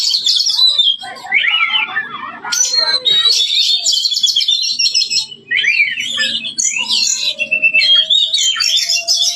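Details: Loud Oriental magpie-robin song made of clear slurred whistles, quick warbled runs and scratchy rattles in long, unbroken phrases, with a faint low murmur beneath.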